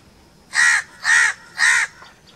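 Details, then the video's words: Crow giving three loud, harsh caws in steady rhythm, roughly half a second apart, clear and close. "1 hour crow crowing sounds - one hour crow nonstop crowing voice - natural crow bird sounds"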